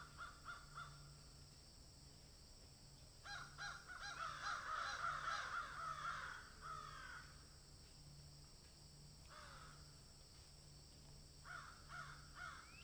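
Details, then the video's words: Crow calling while eating food: a few short caws at the start, then a dense run of rapid, harsh caws from three to seven seconds, later scattered calls, over a steady low hum. "Crow sound"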